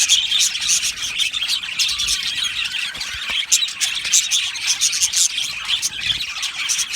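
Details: Australian budgerigar colony in an aviary, chirping and singing: a busy wall of high chirps and chattering warbles, with a few louder squeaky notes standing out above the crowd.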